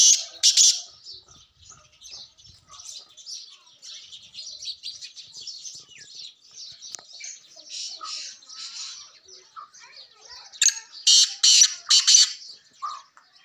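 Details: Sindhi black francolin (kala tetar) call played to lure francolins: a loud, harsh, grating burst at the start, then three rasping broadband notes near the end, over a steady background of many small birds chirping and twittering.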